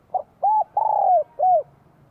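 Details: Bell-voiced spotted dove song from Vietnam, spring 2023. A brief introductory note leads into three resonant coos, the middle one drawn out and sliding downward. A faint low hum runs underneath.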